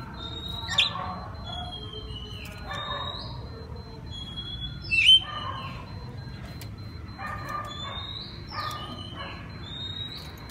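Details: Oriental magpie-robin singing at night in a full open style meant to coax other magpie-robins into replying: sliding whistled notes every second or two, mixed with low harsh buzzy chatters, over a quiet rumbling background.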